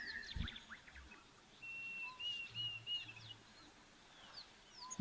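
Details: A Diederik cuckoo, a brood parasite and intra-African migrant whose calling may signal the rains, gives a thin, high wavering whistled phrase at an African waterhole on a sunny afternoon, 5 November 2024; other birds chirp, low rumbling, a sharp knock.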